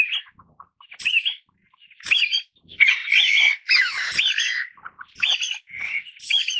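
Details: Taiwan bamboo partridge calling in a loud, raucous sequence of rasping phrases with squealing, wavering inflections, repeated roughly once a second after a few soft introductory notes.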